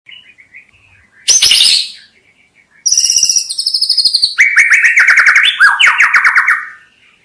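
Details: White-rumped shama song for hobbyists luring wild shamas: a loud burst of high notes, then clear bright whistles, then a fast run of repeated notes that slide up and down, with a short pause between phrases.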